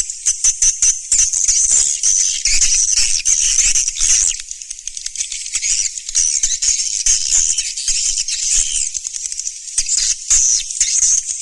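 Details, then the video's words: Swiftlets calling in the Surya Mentari style, 2019: continuous high, buzzy twittering with scattered clicking rattles, slightly softer in the middle and louder again near the end. "SUARA BURUNG WALET SURYA MENTARI"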